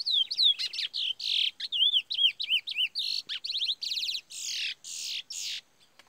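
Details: A trained black male Chestnut-bellied Seed-Finch (curió Parazão) delivers a rapid, varied phrase of clear slurred whistles, up-and-down warbles and buzzy trills, about six seconds long, with nothing else heard.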